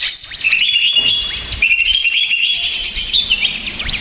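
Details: Greater green leafbird, described as agitated and stressed, a bird-keeper's lure recording to provoke other males: dense continuous warbling of whistled notes and rapid trills, with sliding tones and mimic-like phrases, steady and unbroken throughout.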